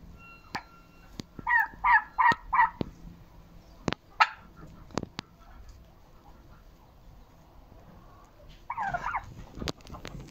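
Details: Domestic hens on Monday, 10 October 2022, a day when eight eggs were laid: a quick run of four harmonic, clucking calls early on, sharp knocks and clicks, then a wavering, squawky call near the end.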